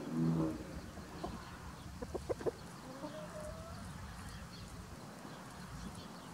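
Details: Free-ranging chickens in spring with a white rooster guarding his hens: one loud low cluck opens, then soft, short clucks cluster near the middle over a steady outdoor background hum.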